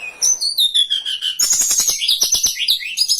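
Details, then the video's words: Hill blue flycatcher song used as a lure and training recording for birds: high, busy twittering with descending whistled notes, then rapid clicking trills and rising chirps throughout. "Masteran dan Pancingan burung Tledekan gunung"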